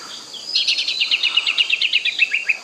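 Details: In a forest, an Oriental magpie-robin gives a short run of quick, evenly spaced chipping notes that form a rapid rattling trill, dropping slightly in pitch toward the end.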